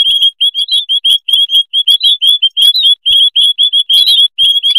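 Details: White-headed munias, a noisy colony, recorded as a lure call: dense overlapping thin high chirps and short upslurred notes, many birds calling at once in rapid succession, with occasional soft low thumps.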